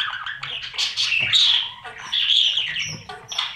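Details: Budgerigar nest box during feeding of chicks by parents; dense raspy chatter with drawn-out hoarse squeals and short chirps, nearly continuous.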